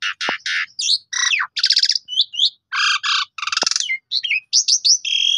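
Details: Black-collared starling song used as a lure to make other starlings sing, meant to be played each morning: harsh buzzy bursts, rapid rattling notes and sharp whistled chirps in quick, varied succession, with brief pauses between phrases.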